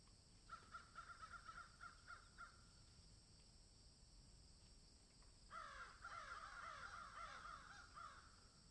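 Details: Crows in a field with swallows and egrets give two bouts of rapid, nasal caws, about four per second, over a steady high hiss and low rumble.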